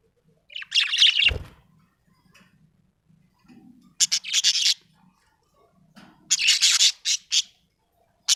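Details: Happy budgerigar chirping in short bursts of bright, scratchy high chatter, with quiet gaps and a brief low thump between.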